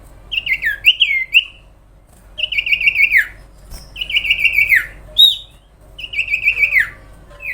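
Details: Sooty-headed bulbul (cipow, sirtu) singing vigorously in long phrases, a master recording for contest and trapping birds: bright descending chirped phrases repeated about every two seconds, each slurring downward, with quiet gaps between.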